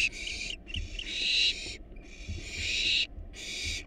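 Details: Barn owl chicks, wild, in a nest box while being fed a rat and a rabbit; long harsh hissing screams nearly a second each, several overlapping, separated by brief gaps, with soft knocks underneath.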